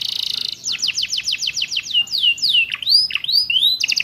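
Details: Captive canary training song carrying ciblek and prenjak insertions: a short buzz, then a rapid row of clean downslurred whistles, followed by looping rising and falling notes and a final burst of buzz.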